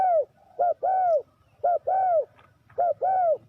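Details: Spotted dove used for trapping wild doves, cooing in quick succession: three phrases about a second apart, each a short coo followed by a longer arched, falling coo, mellow and low-pitched.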